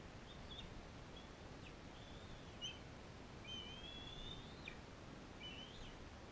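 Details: Captive bald eagle, a non-releasable female fostering a young eaglet from Powell River: faint high whistles, one long clear note held then falling sharply, with scattered shorter chirps and steady background noise.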